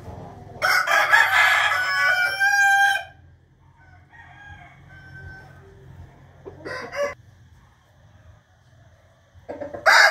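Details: Morning crowing of roosters, recorded 8 April 2021: one strong, rich crow of over two seconds with a falling tail, then brief bursts from further birds later on, over a low background hum.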